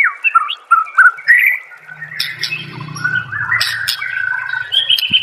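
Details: White-rumped shama singing on a master recording for training songbirds: clear looping whistles and slurred notes, followed by a warbling stretch of rising phrases and a long high whistle, with a low hum underneath.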